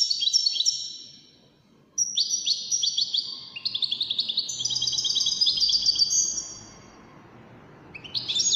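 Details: Wild-caught European goldfinch in a five-bird song competition sings long stretches of jingling, rapidly repeated high twitters and trills, separated by short silences, with a faint low hum behind.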